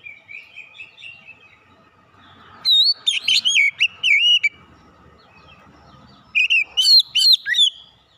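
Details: Kacer (Oriental magpie-robin) lure song meant to excite a bird into unloading its repertoire: soft twittering opens, then a loud burst of slurred, looping whistles, a pause, and a second rich whistled phrase.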